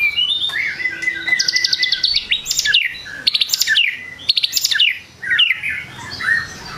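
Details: White-rumped shama singing to rouse rival shamas: a sustained whistled note, then dense bursts of rapid buzzy trills and sharp chattering phrases repeated roughly every second, ending in looser chirps.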